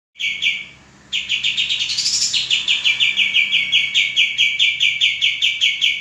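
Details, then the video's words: Male common iora in full song, used as a tutor for training cage birds: a short shrill phrase, a brief pause, then a long fast run of sharp, evenly repeated chirping notes with a brief rising flourish. "suara burung kapas tembak jantan gacor"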